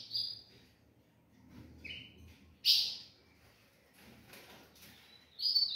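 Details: An ultramarine grosbeak sings at dawn, giving short, sweet whistled notes, widely spaced, with a louder bright burst near the middle, against a quiet background.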